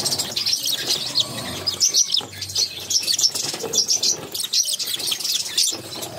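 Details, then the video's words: Budgerigar chicks, six in a brood, being fed by their mother; dense, rapid high raspy chirps in quick bursts throughout, with soft rustling and fluttering between calls. "Budgies baby feeding || Mother budgies feeding her cute babies"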